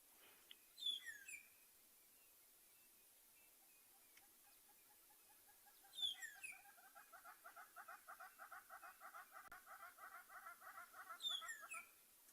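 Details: Magpie shrike perched in a corkwood tree as a passing bird party moves through, on a June morning game drive in a South African reserve; high whistled notes recur about every five seconds over a steady rapid chattering in the background.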